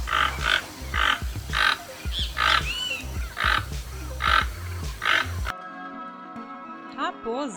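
Keel-billed toucan giving hoarse, croaking notes repeated about every second. Music takes over near the end.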